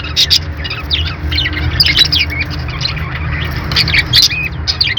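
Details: Budgerigars chirp and squawk almost without pause, short bright notes crowding together, with a constant low background hum.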